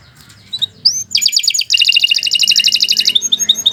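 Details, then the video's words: Canary singing a lively training song: soft chirps and a rising whistle lead into dense, fast buzzy trills held for about two seconds, with light chirps at the end. "Kicau Burung Kenari II GACOR PANJANG Cocok untuk Masteran"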